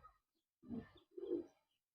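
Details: Tumbler pigeons from Karnataka, India, a breeding pair: two short, low, throaty cooing notes half a second apart in a quiet room.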